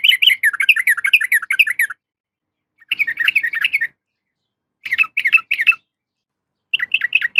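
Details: Female yellow-vented bulbul calling to attract a male, pouring out a long chain of rapid, jumbled bubbly notes, then three shorter chattering bursts separated by pauses.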